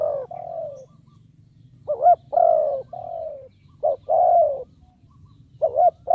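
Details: A spotted dove used as a lure for wild birds coos in separated phrases. Each is a warbling rising note, then a long soft coo dropping in pitch, with gaps of about a second. A low hum is heard throughout.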